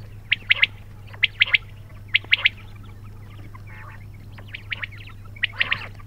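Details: Quail call of three quick sharp notes, repeated about once a second several times, then softer scattered chirps, with a steady low hum throughout.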